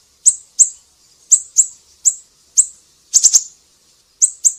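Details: Tutor recording of a siri-siri: widely spaced single high chips, about two per second, interrupted by one quick triple burst, over near silence.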